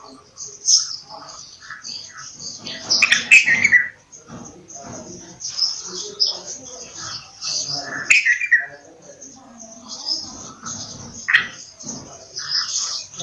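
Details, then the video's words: Bulbul singing amid a busy bird chorus; bright, slurred notes dropping from high to middle pitch stand out roughly every five seconds over steady high twittering from other birds and faint background murmur. "Bulbul Sound | bulbul voice"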